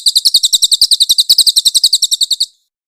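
A grey-headed canary-flycatcher gives a fast, high, scratchy burst of about twenty sharp notes, roughly eight per second, for two and a half seconds before stopping.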